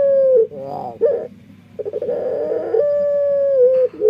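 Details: Dove with an odd voice: a held hoot that dips at its end, rolling vibrating coos, then another long level hoot dropping slightly before a final short note.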